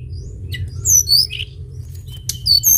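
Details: Brief burst of Sunda bush warbler song for luring: several high slurred whistles, one lower buzzy note and a sharp click, set against low steady hum.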